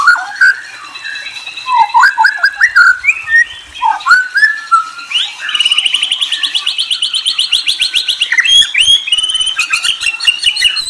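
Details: White-rumped shama pouring out a varied song of whistles and trills: mixed slurred whistled phrases give way to a long, fast, rattling trill, followed by further bright chirps and whistled notes.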